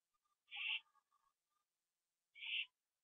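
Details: Owl at night, 11:15 PM on 21 September 2011, finishing a gopher on a porch before flying to join another owl in a tree; two harsh, hissing screech bursts about two seconds apart, with faint scattered lower squeaks between them.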